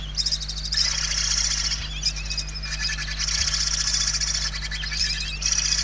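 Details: Barn owl chicks begging in their nest in Spain, 28 November 2023, among them a very weak chick: long raspy hisses of one to two seconds, several overlapping, with short gaps and a faint steady hum.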